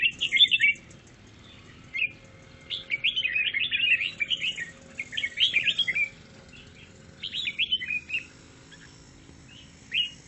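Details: Chattering song of a grey-cheeked bulbul: lively runs of quick, tumbling, bubbly notes in several bursts separated by short silences, with single chirps between them.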